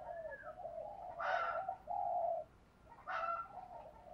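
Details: Spotted dove calls, male and female, used to prompt birds to coo; soft low cooing notes over a steady background hiss, broken twice by brief harsher bursts.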